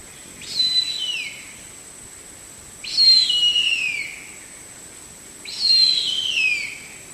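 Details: Harpy eagle call: three thin, high whistled wails slide downward, each about a second long, every two and a half seconds. More melodious than a hawk's screech, over a steady faint high-pitched hiss.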